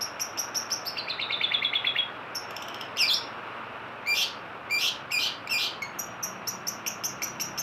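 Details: Long-tailed shrike in energetic full song: rapid series of high, clipped chirps that slide downward, a brief buzzy trill, then loud scratchy bursts and sharp tweets in quick succession; no other sounds stand out.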